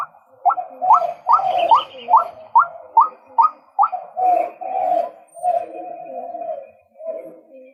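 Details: Male White-breasted waterhen giving a rapid series of about nine loud, hooked croaking notes, then slowing into longer, harsher grunting phrases.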